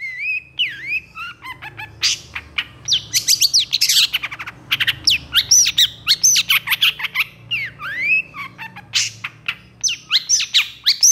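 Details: Excited long-burst song of a long-tailed shrike (cendet). Rising and falling whistled slurs are mixed with harsh scratchy bursts and rapid chips in a varied, continuous stream.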